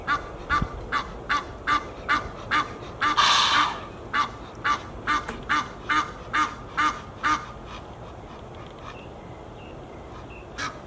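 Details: Geese in Fort Lauderdale, Florida, USA, giving a long series of nasal, harmonic honks, about two per second, unevenly spaced, with one louder, broader burst near the middle and background hum.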